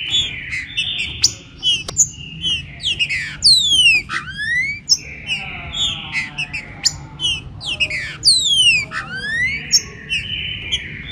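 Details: Green-winged saltator opening its song in rain: loud whistled phrases with repeated steep downward-sweeping notes about every four seconds, mixed with sustained buzzy tones and clicks, over a faint low rumble.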